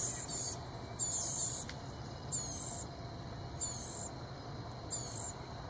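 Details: Blue-gray gnatcatcher chicks in the nest give high, thin, hissy begging calls as parents approach carrying bugs. The calls come in five short bursts, roughly one a second, over a steady insect drone.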